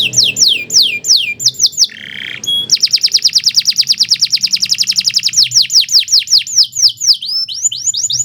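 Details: Canary pouring out falling whistled notes, a brief rough low note, then an extended rapid trill of tiny repeated notes that slows back into quick downslurred whistles.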